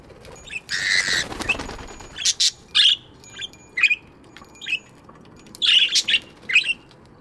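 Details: Aviary budgies chirping in the morning: a burst of wing flutter, then a run of sharp chirps and buzzy squawks repeated about every half second.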